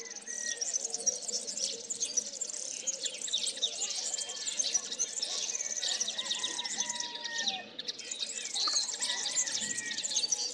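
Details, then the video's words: A male common linnet (Linaria cannabina) sings a fast, unbroken twittering of high, varied chirps and trills with lower whistled notes, just before spring, competing with a nearby singing European serin that distracts him. "Pardillo macho cantando"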